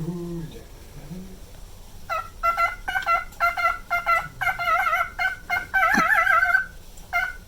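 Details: A low humanlike voice opens, then a nine-year-old male pet cockatiel starts its looped song: rapid bursts of bright harmonic whistles with a short wavering vibrato passage.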